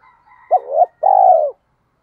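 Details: Spotted dove acting as a decoy to lure others: after soft faint notes, a clipped note and swelling coo lead into a long, throbbing coo that tails downward.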